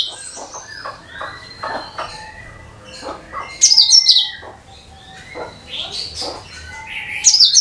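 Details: Cucak kinoi (bulbul) singing as a lure for other birds: long clear whistled notes, some sliding downward, mixed with quick chirps and loud high trilled bursts around 4 and 7.5 seconds.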